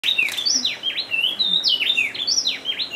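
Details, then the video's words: Speckle-breasted wren (Pheugopedius sclateri) recorded at Bioparque Bonita Farm, Dosquebradas, Risaralda, Colombia: rapid loud series of clear whistled notes, each sliding sharply down then up, repeated in quick bouncing phrases. "Speckle breasted Wren (Pheugopedius sclateri) Cucarachero Buchipecoso"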